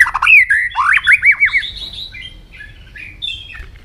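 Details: Morning song of a White-rumped shama in voice training: rich, arching whistled notes in a lively burst, trailing into thinner, quieter whistles.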